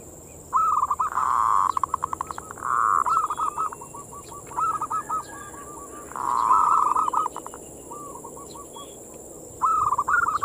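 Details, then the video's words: Zebra dove (perkutut) manggung song as a lure for local doves: repeated bursts of dense purring coos broken by fast staccato runs and softer rolling notes, phrases returning every few seconds against a steady high whine. "the sound of the turtle dove is a mental lure,suara perkutut pancingan mental birahi"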